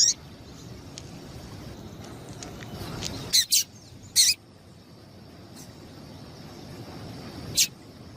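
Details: A female double-collared seedeater, whose call stirs males into singing, gives a quick pair of high chips, then another and a lone chip seconds later, with quiet hiss between.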